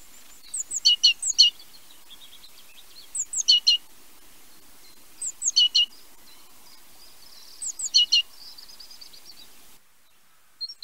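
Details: Great tit calling in short clusters of thin, high, clipped notes, each burst coming about every two to three seconds against faint background noise.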